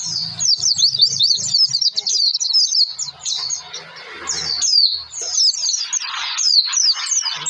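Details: Pleci, the Oriental white-eye, pouring out a lure song to encourage other birds to sing; long, dense high-pitched twitter of sweeping chirps with short breaks, faint voices and low hum in the background.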